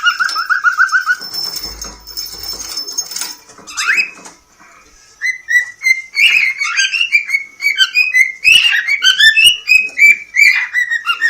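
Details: Singing to its beloved, a pet cockatiel from Poland in a talking-bird championship gives a short trill, a pause, then a long series of bright, quick whistled notes jumping up and down in pitch.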